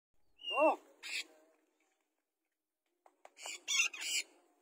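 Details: White-capped parrot flying free alongside a sun conure; a wavering, looping call is followed by a harsh squawk, then after a silent pause a quick burst of rasping, broadband screeches.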